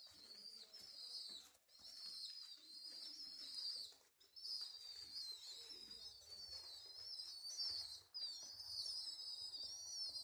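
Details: Hand-fed baby homing pigeons, left without parents after their mosque minaret was restored, squeal continuously in high, thin whistled tones that waver and break every few seconds, several strands overlapping near the end.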